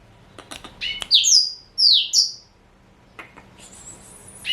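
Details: Male black-throated canary, four years old, Somerini x Botswana cross, delivers a few clicks, then loud high slurred notes sweeping downward, a pause, and a thin sustained high trill at the end.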